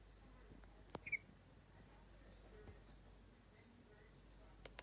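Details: Green-cheeked conure, a pet male warming up beside a heater indoors, gives a quick pair of high, squeaky chirps near the start, then faint clicks and ticks over a quiet indoor hum; warmth apparently makes him chatty.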